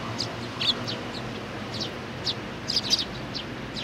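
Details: Sparrows with a young bird, 27 June 2019: scattered high chirps, a few in quick pairs, over steady low background noise.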